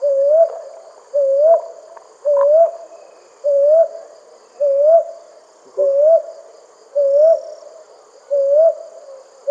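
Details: Brown hawk-owl calling at night: a steady run of soft, mellow, rising hoots, about one a second, with a faint high insect hum behind.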